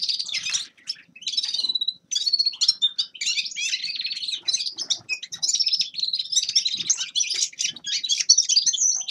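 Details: A Grey-crowned goldfinch delivers a long, lively, high-pitched twittering song, a fast jumble of chirps, trills and buzzy notes with only brief breaks.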